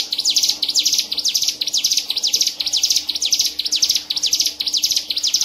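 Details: Nonstop singing from a caged hill prinia, winner at a songbird contest in Medan, Indonesia, March 2019: rapid high downslurred strokes repeated roughly twice each second in an even, continuous chain.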